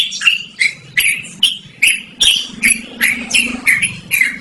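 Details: Yellow-vented bulbul (trucukan) singing loudly and clearly, used for luring or training birds; a steady run of about eleven bright, slurred chirps over four seconds, faint low hum in the background.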